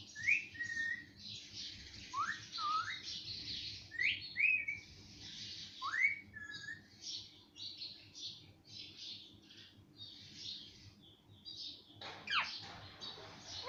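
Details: Talking parrot, which says mummy and papa, repeats short rising whistled syllables mixed with breathy, hissing noises. The phrases come irregularly over several seconds, with a louder raspy burst near the end.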